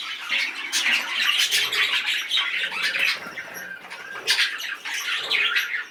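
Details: An excited male budgerigar's fast, gravelly warble, packed with clicks and short squeals, swelling in loud bursts around the first and fourth seconds.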